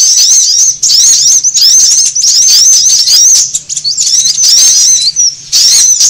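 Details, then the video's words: Sunbird calls played to attract birds: bursts of high, curling whistled chirps lasting a second or two, separated by short lulls, over a faint low hum. "SUARA PIKAT KOLIBRI AMPUH"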